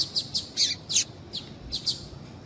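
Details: Female double-collared seedeater calling to stimulate a male: a quick run of short, high, sharp chirps, unevenly spaced at roughly three to four per second, over a quiet background.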